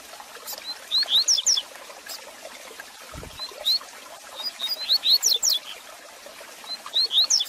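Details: Double-collared seedeater singing as a tutor to stimulate a kept bird: repeated short phrases of quick, clear, high whistles rising and falling, separated by pauses of a second or two, with a brief low thump and crackling noise.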